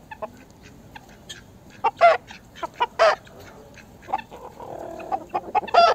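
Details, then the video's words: Several hens cackle together against a constant low background murmur: scattered short clucks and a few louder, hoarse squawks, with a rougher humming stretch toward the end. "Chickens Hens cackling"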